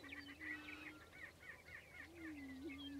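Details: Prairie chickens booming on a lek in early morning during their annual spring ritual, Fort Pierre National Grasslands, central South Dakota. Low, steady hooting moans last about a second each, with higher cackles and whooping notes over them.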